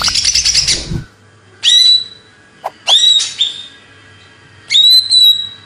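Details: Greater green leafbird of Banyuwangi stock, Indonesia: a rough burst opens, then three short, bright, upward-flicking whistles separated by silent gaps, with a steady low hum beneath.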